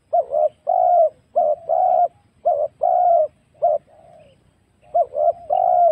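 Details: Trapping lure of a wild spotted dove: repeated phrases pairing a short clipped coo with a longer smooth one, gently falling at the tail, with a brief softer lull before the pattern returns.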